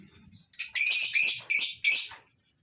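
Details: Lovebirds in a colony aviary on a breeding farm on a morning, with masked and Fischer's lovebirds among the kinds kept: loud, shrill, buzzy chattering bursts, four close squawking phrases within under two seconds.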